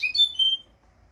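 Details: Brief burst of European goldfinch song for training young goldfinches: a rapid liquid twitter sliding into a sustained high whistle, then quiet.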